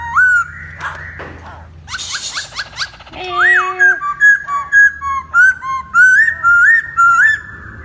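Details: Masked laughingthrush, the poksay Hongkong kept as a cage bird, in full gacor song with a courtship dance for a female: varied rising whistles, harsh bursts, then a quick series of repeated rising whistled notes.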